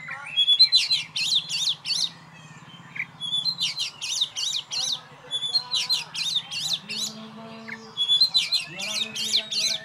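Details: Caged champion oriental magpie-robin kept on its own and hung up alone, singing bursts of loud, high, rapidly warbled and sharply modulated phrases separated by brief pauses, over a low background hum with faint voices.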